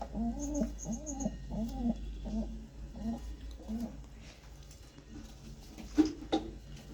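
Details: Pigeon chick begging while being fed by regurgitation, indoors: a run of short arched, nasal squeaks repeated about every half second, then softer scattered calls, with faint high insect chirping and a sharp knock near the end.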